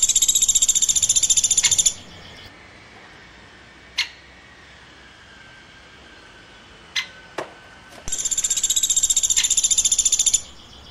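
A woodpecker gives high, buzzy, rapid chirping in two bursts of about two seconds each, with a few sharp clicks in the quiet between.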